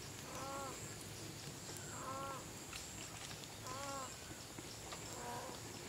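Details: Green peafowl gathering in late afternoon at a peafowl viewing site in Chun district, Phayao, Thailand, during the 2018 counting season with about 70 birds present; four loud, nasal, harmonic two-part calls about every one and a half seconds over steady background hiss.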